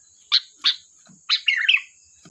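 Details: Sooty-headed bulbul in lively 'gacor' song, used as a lure: two short chirps, then a longer warbled, bubbling phrase of mid-high notes, over a faint steady high-pitched whine.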